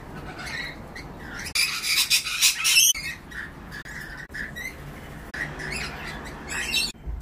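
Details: Lorikeets in the evening give harsh, screechy squawks and shrill chatter in rapid, overlapping bursts, with a louder noisy flurry in the middle and a steady background hiss.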